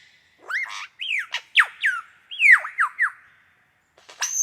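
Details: A superb lyrebird in a cold winter forest in the morning gives a quick run of loud, clear whistled notes, each swooping down or up, echoing, then a brief pause and one last high note.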